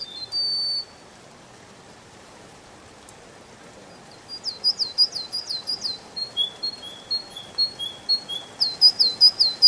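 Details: A canary sings in high, bright chirps and rapid trills, phrases coming about two or three per second after a brief tone and a pause; presented as canary song in a spring forest.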